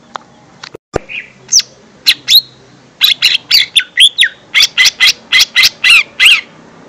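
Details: Lesser green leafbird lure song for young birds: scattered high chirps, then a rapid run of loud, harsh, buzzy notes, about two per second, mixed with short whistled slurs.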